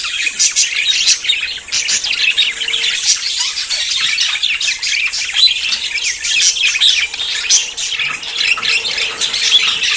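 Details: Several budgerigars in courtship, close to breeding, fill ten seconds with unbroken twittering: rapid scratchy chirps, squeaks and warbled notes overlapping thickly, with a faint steady low hum underneath.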